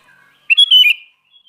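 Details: Sooty-headed bulbul of the kutilang garuda kind, singing actively: a single loud, clear, slurred phrase of about half a second, whistled then dipping, after a faint quiet note.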